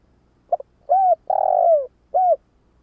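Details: One full coo phrase from a decoy spotted dove used to draw in wild doves: a quick double stutter, a rounded coo, a long drawn-out falling coo, and a final short coo.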